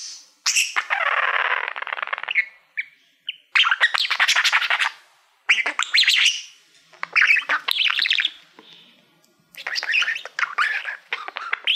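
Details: Male pet budgerigar that loves mirrors, chattering at a silver award plaque in harsh, noisy bursts of scratchy rasping sound, each a second or two long, separated by short silences.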